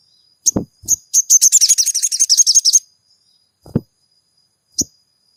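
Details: Crimson sunbird (sogon), caged, singing to provoke another bird to sing: a couple of high chips leading into a long, fast, shrill buzzy trill of about fifteen notes, then quiet with scattered knocks and a final chip.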